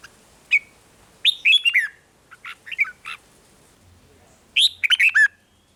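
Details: Red-whiskered bulbul from Thailand, sound meant to excite caged birds: a lone chirp, then quick warbling phrases of four to five notes, a quieter group, and a final bright burst.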